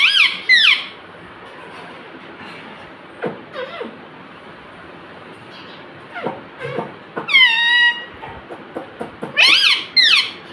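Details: Pet parrot giving a few scattered talking phrases. Bright sliding notes come at the start, around the middle and near the end, with long quieter stretches and low background murmur between them.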